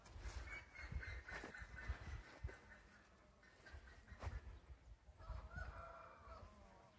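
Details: Short crow from a gold-coloured Índio Gigante rooster kept for breeding in Brazil; faint harmonic calling early on, then a clearer brief crow near the end, with low rumble and sharp knocking sounds throughout.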